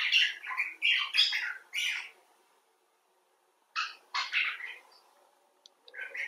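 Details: Common bulbul chattering expressively in rapid harsh, squeaky notes, falling silent for nearly two seconds, then resuming with a few loud chirps.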